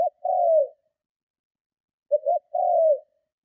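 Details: Spotted dove cooing forcefully to lure and provoke other doves; a drawn falling coo, pause, then two brief hoots and another long coo, clean recording.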